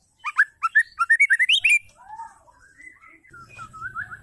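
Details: Female white-rumped shama calling to males, used to provoke male shamas to sing: a fast run of about ten loud, rich whistled notes, then softer warbling phrases; a low hum enters near the end.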